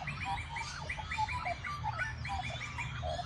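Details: Australian magpie, subspecies telonocua, giving quick, rounded, warbling notes in rapid repeated runs, some rising and some falling, with a low rumbling background.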